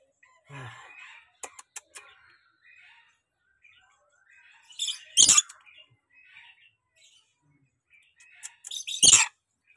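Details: Tame pet rainbow lorikeet in a quiet room, making soft scattered chirps and clicks, then two loud, harsh screeches about four seconds apart.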